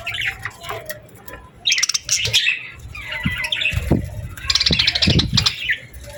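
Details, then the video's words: Evening birdsong at sunset in summer: clustered bright chirps and trills arrive in bursts, broken by a few dull low knocks, over a faint steady background. "Evening Birds Chirping Sounds Effect | Summer Birds Singing at Sunset"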